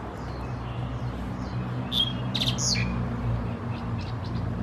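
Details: Common myna (Acridotheres tristis tristis) bobbing its head in a Norfolk Island pine at Khao Yoi, Phetchaburi, Thailand on 13 February 2024: a short burst of harsh squeaky chirps and a brief whistle over low background rumble.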